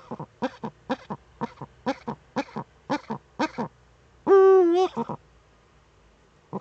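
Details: Female Eurasian eagle-owl courting in the nest niche, recorded by a nest webcam in northern Rhineland-Palatinate, Germany, 10 May 2013; evenly spaced double clucking notes lead into one loud, sustained, slightly wavering harmonic wail, then quiet.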